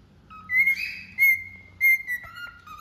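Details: Pure sustained whistles from a cockatiel, held on one pitch with brief accents, sliding to a lower steady note at the end.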